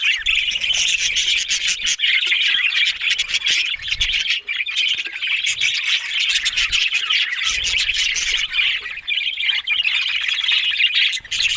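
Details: A flock of budgies keeps up lively chirping and scratchy warbling, dense and overlapping, broken by brief quieter gaps and soft low thuds.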